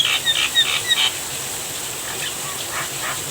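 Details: Javan myna singing while rain falls: a quick run of harsh, scratchy bursts mixed with short thin whistles during the first second, then fainter rasping notes over a steady hiss of rain.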